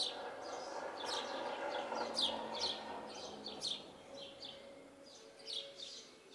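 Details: Short high chirps of house sparrows in a yard tree, quick and irregular, several per second, fading toward the end over a broad murmur of background noise.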